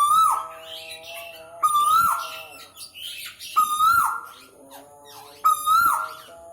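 A male Asian koel gives four loud, ringing calls that swell upward then fall, one roughly every two seconds, over faint steady tones like background music.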